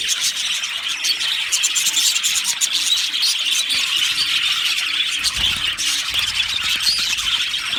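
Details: Aviary flock of budgies calling together, a constant wash of shrill chirps and squeaky warbles from many birds, with a brief low rumble of background noise near the end.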